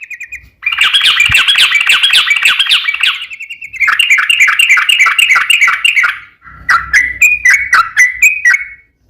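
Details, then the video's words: Yellow-vented bulbul in energetic long rapid-fire song, played as a lure to make other bulbuls sing: dense bubbly chattering trills run for seconds, break, then resume as quicker clipped warbled notes. "trucukan gacor ROPEL PANJANG buat pancingan trucukan agar bunyi"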